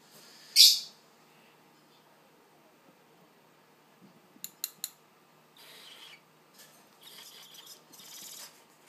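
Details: Young barn owl at feeding time, kept with a juvenile African wood owl: one sharp, loud hissing screech at the start, then soft clicks and rustling with faint breathy hisses.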